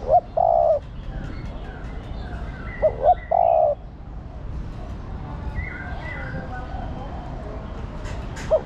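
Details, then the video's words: Female spotted dove calling insistently to a male, luring and stimulating him; two phrases of short notes then a long low coo near 700, with faint chirps of other birds in the background. "Cu gáy mái thúc trống + gọi trống cực nhay"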